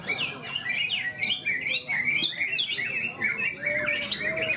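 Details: Greater green leafbird at a songbird contest in Malinau, North Kalimantan, on 6 March 2022 pours out a fast, unbroken stream of bright whistles, slurs and chattering notes, with other songbirds overlapping close by. This bird took first place.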